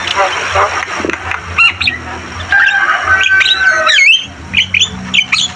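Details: Javan myna in varied song, with throaty chattering, a drawn-out flat whistle, then a run of short looping whistled notes and squeaks toward the end, over a steady low hum.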